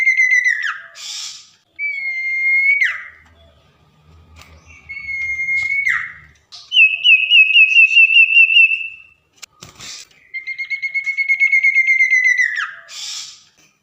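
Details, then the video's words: Tame common iora in full song at night, repeating long level whistles that slide sharply down at the end, plus a rapid pulsing trilled whistle, with short pauses and faint clicks. "Burung Sirpu/cipoh jinak gacor saat di malam hari"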